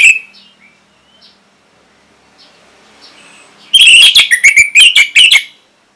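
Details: An orange-headed thrush, North Bali, sings for other birds to copy and answer; soft scattered notes at first, then a dense, loud series of quick whistled and warbled phrases.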